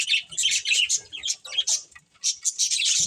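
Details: Breeding pair of pet budgies chattering: rapid high twittering and squeaky chirps in two main bursts separated by a short lull, ending with a low thump.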